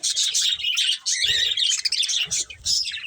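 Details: Short burst of budgerigar chatter from a breeding pair: bright, buzzy chirps and thin whistles in three quick phrases separated by tiny pauses, with soft low bumps underneath.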